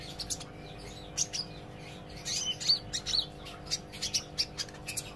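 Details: Olive-backed sunbird learning to sing, with scattered high, sharp chirps and short thin twitters separated by uneven gaps. A faint low hum sits beneath.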